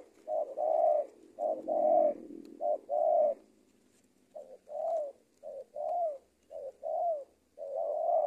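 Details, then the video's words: Spotted dove used as a lure-training bird for trapping, giving soft, hollow coos in short phrases of two or three notes, with a brief pause midway before the phrases resume. "TEKUKUR SI BONGSOR KETEMU BL RAJA NGUKU"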